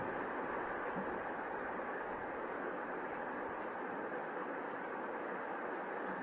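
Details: Steady broadband hiss, like wind or rushing air, runs throughout with no animal calls.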